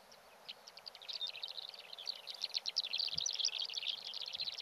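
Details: Black-bellied sandgrouse on Fuerteventura: a dense run of rapid, chattering, high twittering notes that builds in strength and continues without a break, with a few low thuds in the background.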